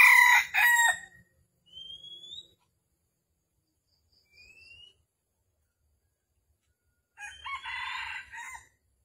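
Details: Red junglefowl calling during a junglefowl trapping session in Vietnam, morning of 13 December 2021. Two harsh, crow-like bursts open and close the passage. Quiet rising whistles of another bird come between them.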